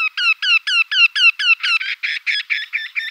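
Eurasian wryneck giving a rapid series of nasal, slightly down-slurred 'kyee' notes, about six per second, turning harsher toward the end.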